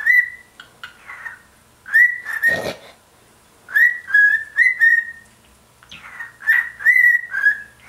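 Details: Caged pet bird set off by a shoe, singing while swinging: repeated clear whistles, each starting with a quick upward slide then held steady, grouped in runs of three with a brief noisy rustle between.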